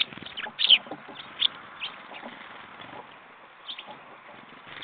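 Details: Jackdaws recorded 21 February 2014 at 10:50 give short, sharp, high calls at irregular intervals, a few louder ones standing out over a soft, busy background chatter.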